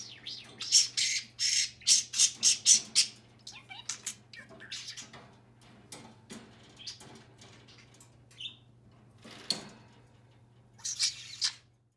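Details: A pet budgerigar perched on a finger, talking and squawking after another budgie took his cage: harsh, high squawks in a rapid burst, then scattered raspy calls and a final pair of squawks, over a steady low hum.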